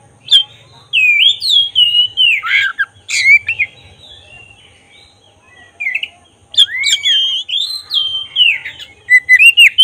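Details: Singing black-breasted oriental magpie-robin, a lure sound meant to excite other birds into emotion and tail opening: two long bursts of varied whistles, swoops and sharp clicks separated by a few seconds of quiet.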